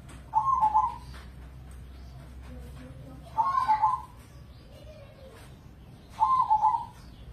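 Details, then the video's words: Crossbred zebra dove, a prize-winning captive songbird in Indonesia, repeats its rolling, bubbling coo three times roughly every three seconds, each phrase trilled and slightly descending, with faint chirps and low murmuring between. "Pancingan Pekutut Crossing Gacor Dorr"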